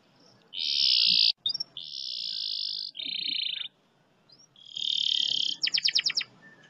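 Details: Canary in a long, fast roll used to coax other canaries into song: several sustained high buzzing trills separated by short pauses, ending with a string of sharp rapid notes over a soft background hiss.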